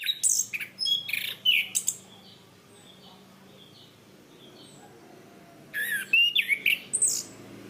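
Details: Orange-banded thrush (Zoothera interpres), a cage bird, in a training recording: two bursts of loud varied song, sharp whistled and chattering notes leaping between high and low, separated by a few quiet seconds with faint distant notes.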